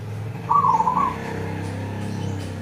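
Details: One fluttering, mid-pitched cooing phrase of a local zebra dove (perkutut lokal), about half a second long, over a constant low droning hum.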